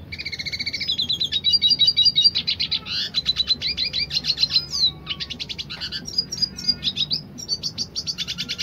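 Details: A dilute-coloured red siskin sings a fast, high, continuous rolling song of buzzy trills and twittering bursts with sharp whistled notes, barely pausing. No other sounds.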